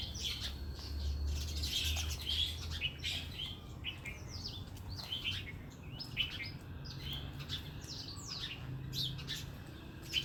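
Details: Tailorbird pair calling indoors: a busy stream of quick, high, thin chirps and short descending notes, fast and irregular, over a steady low hum.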